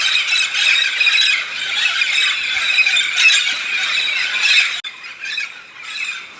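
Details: Migrating flock of Red-spectacled parrots feeding on araucaria pine nuts in the Santa Catarina highlands, southern Brazil; loud tangle of harsh screeches and squeals for nearly five seconds, then a sudden break into quieter, scattered squawks.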